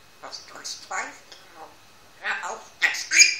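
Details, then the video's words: A one-year-old Grey parrot at home chatters in speech-like syllables, pausing midway, then ends with sharp, bright squawks and a high whistled note. "graupapagei lilo spricht"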